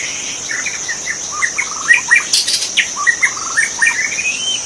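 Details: Magpie-robin song from a wild bird in forest: a busy stream of quick chirps and whistled slurs, with a brief rustling burst midway and a continuous high insect whine.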